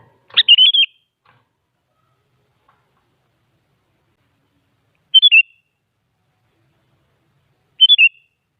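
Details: Sooty-headed bulbul song used as a lure to make other bulbuls answer: three short bright chirpy phrases, the first longer and warbled, then two brief whistled notes spaced several seconds apart, with silence between.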